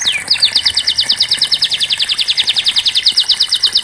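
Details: Canary, as a training song for non-singing canaries: one falling whistle, then a long, rapid, evenly pulsed run of high chipping notes repeated many times a second throughout.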